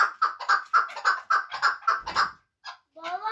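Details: Chukar partridge from Muminobod, kept for hunting, calling a steady series of rough clucking notes about three per second, then falling quiet, after which a brief human voice is heard.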